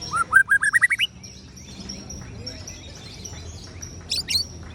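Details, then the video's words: Murai batu singing a ciung wanara style phrase: a quick run of about nine rising whistled notes climbing in pitch, then a quiet stretch with faint twitters and two sharp high chips near the end. "ocehan CIUNG WANARA murai batu anti galau"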